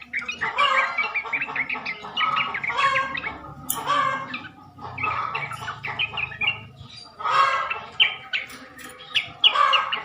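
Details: Sooty-headed bulbuls chattering on a recording used to lure males into replying: clustered bursts of quick, bubbly notes with short lulls between, several birds overlapping, some sharper high squeaks.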